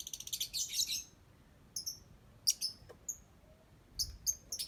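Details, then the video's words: A lovebird sings, opening with a rapid rasping chatter, then scattered high, thin chirps and paired squeaks with short pauses between them. "Love Bird Cantik Pinter Nyanyi"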